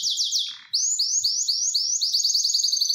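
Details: Mating-eager canary singing quick downward-slurred notes, a brief gap, then a steady series of rising sweeps accelerating into a fast, dense high trill.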